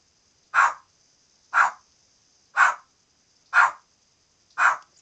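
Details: Pet parrot barking like a dog: five short, sharp bark-like notes evenly spaced about once a second, with a faint steady high whine in the background.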